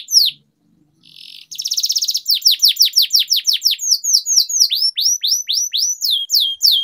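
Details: Singing-training canary recording: after a short pause, a dense buzzy trill gives way to fast repeated downward-sweeping whistled notes, about two per second, rolling on steadily.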